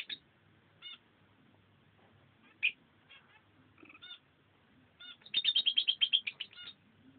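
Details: Two pet lovebirds, female and male, messing around by their nest: isolated high chirps over a low background hum, then a rapid burst of about fifteen loud, piercing chattering notes near the end.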